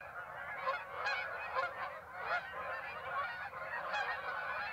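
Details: Canada geese at Birds Hill on 26 September, a flock giving overlapping nasal honks, some louder calls standing out about once a second over a steady mass of quieter calling.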